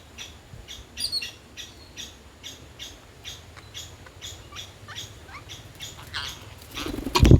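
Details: Two green parrots fighting on a food table in the jungle give short, harsh chirps about twice a second, ending in a louder scuffle with flapping and a thump, over a low background rumble.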